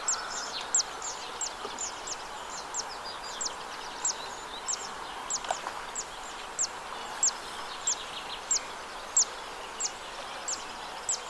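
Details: Zitting cisticola in song over a Morbihan wetland at the Arzal dam, 2 June 2023. A long run of about seventeen high, clipped 'zit' notes arrives at a steady clip of roughly one every 0.6 seconds, with background hiss and distant bird twitter.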